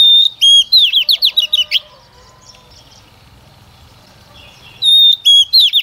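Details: Oriental magpie-robin female, a lure bird singing so males will sing: a steady whistle breaks into a rapid chattering series of slurred notes, silence for about three seconds, then the whistled phrase resumes.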